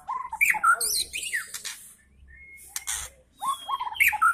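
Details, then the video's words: Young speckled white-rumped shama kept in a cage as a lure singer, giving harsh mixed chatters and whistled slurs in two bursts with a quiet gap and a thin steady whistle between. "MURAI BATU GACOR || Pancingan Murai Batu Trotol,langsung nyaut"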